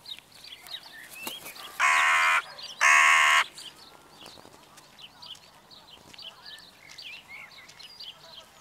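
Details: Crows on an evening, giving two loud, harsh, drawn-out caws about a second apart, each with a rich buzzy tone, over a steady background of high, thin twittering from small birds.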